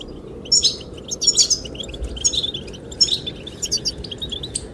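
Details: Goldfinches singing to attract the female: bright, twittering high chirps in short bursts with little pauses between, set against a steady low rush of wind.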